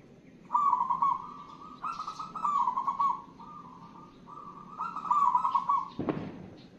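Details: Zebra dove of a local wild strain in full song: a series of soft, burbling, trilled coos strung into phrases, then a pause and another run, ending with a sharp knock.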